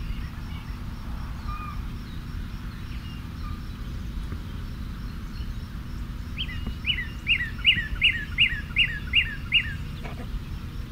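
A Northern Cardinal sings about eight loud, slurred whistles, 'purdy, purdy, purdy', about two or three per second, over a steady low rumble.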